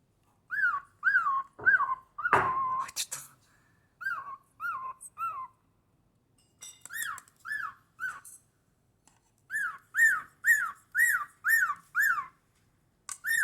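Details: A pet cockatiel sings indoors at home, a series of clear, looping whistles that rise and then fall, repeated in quick phrases.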